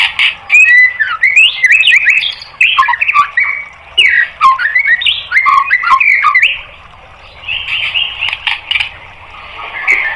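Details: White-rumped shama training song for caged birds: a long, varied jumble of harsh squawky and whistled phrases that shift quickly in pitch, then a quieter stretch of softer warbling.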